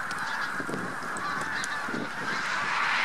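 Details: Huge mixed flock of Bean Geese and some White-fronted Geese on spring passage in central Poland, March 2018; steady roar of overlapping honks, swelling slightly toward the end.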